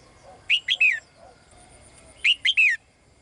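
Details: Female bird calls to the male with two phrases, each made of three rapid bright notes, the final note longer and falling, about one and a half seconds apart.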